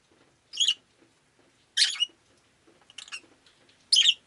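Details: Rosy-faced lovebird as a pet on a rainy day, giving four raspy, broadband chirps about a second apart, the third softer and broken, with low faint background noise.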